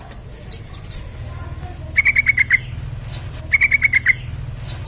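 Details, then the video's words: Lure recording of a sooty-headed bulbul meant to set other birds singing: two short bursts of about five sharp clipped notes, a second and a half apart, over a low steady hum. "Pancingan TRUCUKAN Gacor Supaya Cepat Bunyi"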